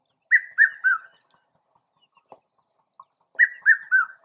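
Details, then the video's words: Red-chested Cuckoo (Piet-my-vrou), seen calling in Southern Africa, gives two bursts of its three-note whistle, each note stepping lower in pitch, with a quiet gap of about three seconds between phrases. "Piet-my-vrou/Red Chested Cuckoo"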